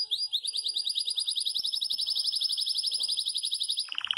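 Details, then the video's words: Yellow Belgian canary in bursting campainha song, holding a long, very fast high trill of rippling notes for nearly four seconds before dropping into a short, lower buzzy rattle. "CANÁRIO BELGA CAMPAINHA ESTOURADO DANDO UM SHOW !!!"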